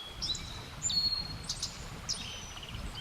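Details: A singing black-faced bunting gives thin, high, sibilant notes and short chirps in quick clusters, faint over a steady background hiss.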